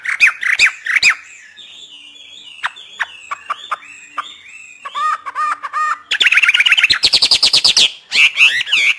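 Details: Hwamei singing freely, kept by a northern Vietnamese bird keeper: clear rising and falling whistled phrases, sharp clicks, then rapid loud runs of repeated notes and bursts of ringing whistles.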